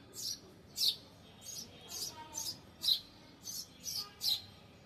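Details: Bird perched on a balcony grill, chirping all day: short, very high, thin chirps repeated roughly every half second, fairly soft, with quiet background hiss.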